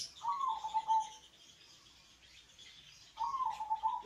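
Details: Local Indonesian zebra dove singing to coax other doves into calling: a mellow cooing phrase that rises briefly and then rolls in a quavering trill, repeated after a pause of about two seconds.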